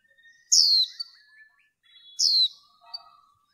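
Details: White-eye hen used to excite cock birds in training: two bright, high chirps slurring steeply downward, with quiet thin notes and brief twittering around them.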